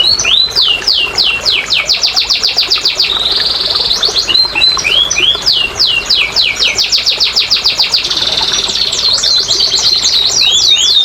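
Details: Lure song of a canary for quiet birds: varied tours alternating fast downslurred whistle series, a steady buzzy held tone, and rapid rolling trills, repeated in succession over about eleven seconds.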